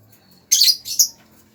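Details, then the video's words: Lovebird producing two quick, piercing squawky chirps close together, the first longer and harsher, over a quiet background. "suara burung lovebird"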